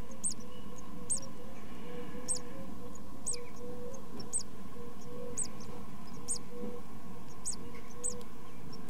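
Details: Tit chicks in a nest box in their first two weeks, thin high peeps repeated about once a second, roughly nine in all, over a low steady hum.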